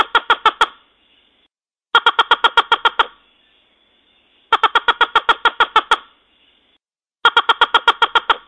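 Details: Red-legged crake (Rallina fasciata) calling: bursts of about eight harsh, nasal pulses, each burst under a second long and repeated every two to three seconds.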